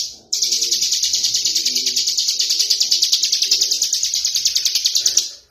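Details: A tame mountain prinia sings outside its cage, pouring out an unbroken, high, buzzy song of rapid chattering notes for about five seconds, with faint low background sounds beneath.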